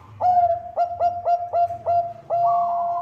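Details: Zebra dove of the Bangkok type, sung to lure others into singing: six sharp, evenly spaced staccato coos, each beginning with a quick upward flick, ending in a longer held note in a quiet setting.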